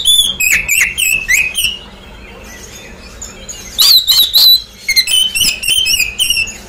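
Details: Loud Oriental magpie-robin song played to draw a response from a bird after moult: bright whistled notes in quick sequences, a strong rising-falling phrase midway, then another run of repeated whistles.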